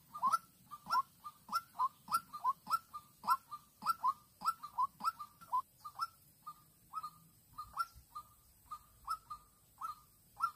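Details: White-breasted waterhen used as a young lure bird in Vĩnh Long, 16 March 2022, answering a fight-ready wild female. Dense run of hollow clucking notes, many doubled, roughly 100 a minute, with a brief low thud near the middle.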